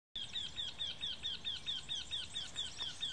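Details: Eurasian wryneck giving a steady series of ringing, slightly downslurred nasal notes, about two per second, over a soft background hiss of outdoor noise.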